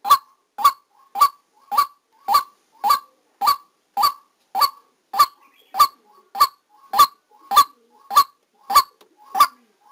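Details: Live recording of a decoy white-breasted waterhen during trapping, a relentless run of about seventeen short, throaty honking calls across ten seconds, each one clipped and strongly accented, keeping a near-constant rhythm.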